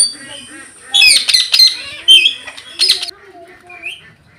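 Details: Rose-ringed parakeet kept as a talking pet, heard in the afternoon: harsh, high squawking bursts and broken speech-like syllables in quick uneven runs, with faint low background murmur.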